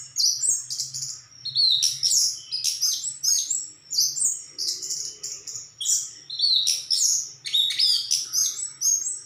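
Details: Orange-headed thrush delivering very high, rapid twittering and whistled phrases in bursts, each burst separated by short gaps, with a faint low hum beneath.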